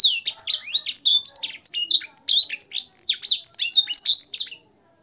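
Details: Loud song of a caged canary, styled with blackthroat and sanger fills for training other birds: tumbling twitters and looping whistled notes run without pause for over four seconds, then stop abruptly into silence.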